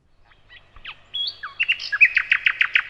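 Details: Nightingale singing: a few soft scattered notes, then a high clear whistle sliding down, followed by a fast, loud series of sharp repeated notes about six per second, with no other sounds.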